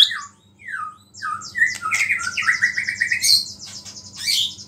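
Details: White-rumped shama song meant to provoke other shamas: varied whistled and buzzy phrases, slurred notes dropping and rising between mid and high pitch, dense overlapping trills near the end, a faint low hum beneath.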